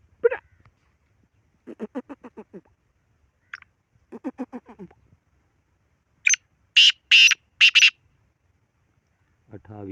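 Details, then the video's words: Black francolin with a harsh rasping phrase of four ringing, buzzy bursts, set among several rapid series of lower pulsed notes and a brief grating sound at the end. "کالا تیتر کی مکس آوازیں"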